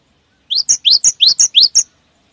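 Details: Cinereous tit song in the wucit wucit style, used as a lure for other cinereous tits: one short burst of four two-note phrases, an upward-sweeping whistle followed by a thin higher note, delivered quickly and evenly.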